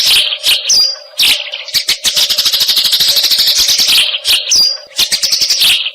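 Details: Eurasian tree sparrows recorded as tutoring material for competition songbirds: sharp chirps opening into a long, continuous fast chatter, then scattered chirps and a further burst, a faint hum beneath.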